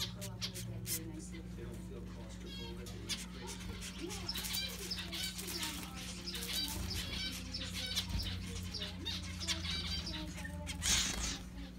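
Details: A baby female mandarin zebra finch gives rapid, raspy begging calls as her father feeds her, over a steady low hum.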